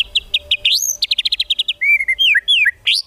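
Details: Song of a white-rumped shama meant as tutoring material for contest birds; quick clear chips and an upswept whistle, then a rapid run of even notes, followed by several sweet slurred whistles falling in pitch.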